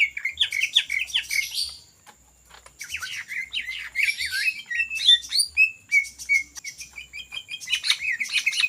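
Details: Ngetrok-style song of a greater green leafbird in full voice, intended as a lure: rapid jumbled chirps and bent whistles, a short pause near two seconds, then renewed chattering and a string of even downslurred notes.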